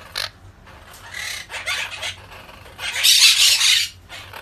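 Monk parakeet giving harsh, grating squawks in uneven bursts, ending in a longer, louder screech.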